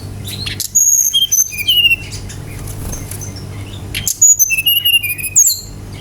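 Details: Brown-chested jungle flycatcher singing as a lure for other birds: two phrases of clear whistled notes, each tumbling from very high to mid pitch, separated by a pause of about two seconds with a low hum beneath.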